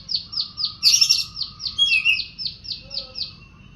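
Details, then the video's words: Oriental magpie-robin in lively song: quick repeated high chirping notes, a brief rasping burst, then a falling whistled slur, with continuous low background hum. "kacer poci gacor"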